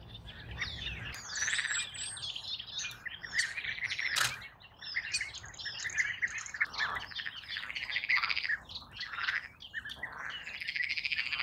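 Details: European bee-eater: a dense chorus of rolling, burry trilled calls from many birds, overlapping almost continuously, with higher chirps and a brief sharp click near the fourth second.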